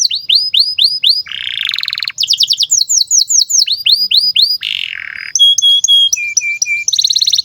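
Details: Domestic canary song used as a master for training young canaries: fast series of bright rising-falling whistles, buzzy rolls and steady held notes, changing phrases every second, clean with no background.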